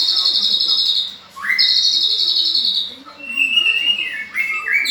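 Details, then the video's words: White-rumped shama in full, lively song: long, high, sustained whistles, a sharp rising sweep, then lower steady notes and quick flicks, with faint low murmuring in the background. "Burung murai batu ter gacor"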